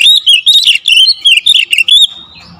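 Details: Magpie-robin pouring out a rapid 'tembakan rapat' song for luring: an unbroken chain of bright whistled and chattering notes, loud and varied, ending after two seconds in a thin fading whistle.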